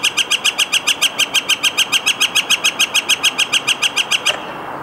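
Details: Northern flicker repeating evenly spaced, hard, ringing notes, a little under four each second, in an unbroken series that stops abruptly just after four seconds, followed by quiet.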